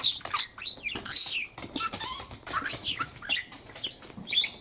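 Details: A male parakeet kept as a pet chatters nonstop, with rapid squeaky, speech-like syllables mixed with thin whistled notes and rasping bits that run together over several seconds.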